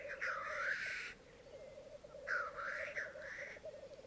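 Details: Black grouse lekking on a bog in Mykland, Norway, on a May morning in 2022, with twelve males and two females present; continuous low bubbling rookooing runs throughout, broken by two long hoarse hissing sneezes.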